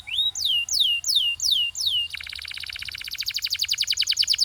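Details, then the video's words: Canary in pure Belgian singing gives five loud, falling whistled slurs about a third of a second apart, then switches to a dense, accelerating buzzy trill. "This Canary’s Melody Makes All Birds Join In – Pure Belgian Singing"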